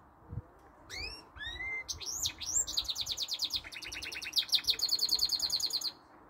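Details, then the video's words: All-day singer, a goldfinch × canary mule: a few rising whistled notes build into a continuous stream of rapid rolling trills and buzzy twitters lasting several seconds. "goldfinch mule some canary note sings allday long"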